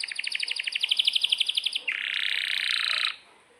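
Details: Canary song in the energetic long-roll style used as master song for young or silent canaries: a fast train of about fourteen clipped notes a second, then one continuous bright buzzy roll lasting over a second before stopping abruptly.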